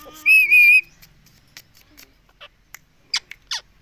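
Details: Pet rose-ringed parakeet said to repeat the word "mummy" nonstop; a loud, rich harmonic two-part call at the start, followed by scattered faint clicks and short chirps.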